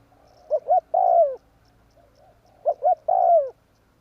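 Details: Spotted dove cooing, played as a trapping lure: two phrases each made of two quick rising coos and a longer, downward-sliding coo, separated by a brief quiet gap.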